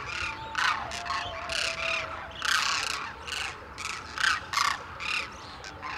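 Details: Wintering demoiselle crane flock at Khichan village, India, where locals scatter grain for the birds each early morning in an enclosure; harsh, rolling squawks in bursts, several loud overlapping calls, a steady murmur of other birds beneath.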